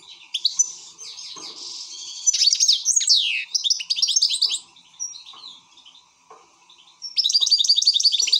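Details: Excited European goldfinch pouring out bright twittering song, fast chirps and descending swept notes, a quieter stretch of scattered calls, then a closing burst of rapid repeated twitters; faint background hum.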